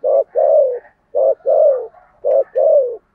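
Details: Spotted dove used as a decoy to draw in other doves, 'thổ' style: three quick two-part coos in a row, each a short hoot then a longer sliding coo, about one per second.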